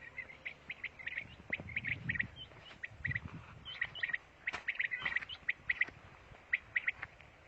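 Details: Quail song from Pakistan, recorded on a mobile phone: short, sharp chirping notes repeated in quick bursts over several seconds, with low rumbling background noise and occasional clicks.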